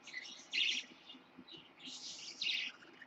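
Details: Caged lutino parakeet chick, born 26 October 2015, making two broad, raspy chirping bursts about two seconds apart, with softer scratchy notes between them indoors.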